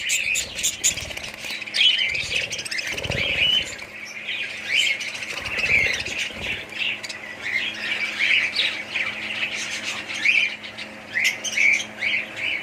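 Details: Colony of budgerigars with steady squawking and chirping from many birds, interrupted by a few low dull thuds in the first half.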